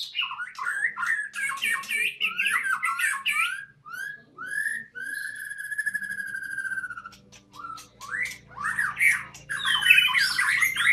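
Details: White-rumped shama singing at a breeding site: rich varied phrases of slurred whistles, rapid trills and harsh squawky notes, with a long sweet whistled note midway and a faint low hum in the background.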